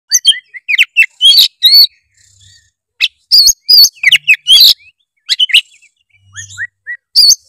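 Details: White-rumped shama song used as a prompt to get a lazy young bird singing: loud, varied phrases of sharp whistles, rising and falling sweeps and chattering notes, delivered in bursts with short pauses.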